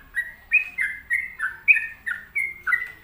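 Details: Sooty-headed bulbul singing energetically ('gacor'): clear, slurred whistles in quick succession, each dropping or wavering slightly, roughly three notes a second, with faint low background rumble.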